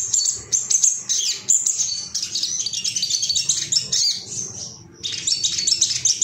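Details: Ruby-cheeked sunbird, worked up and looking for rivals, pours out a continuous, very high, scratchy twittering song, broken by one short pause.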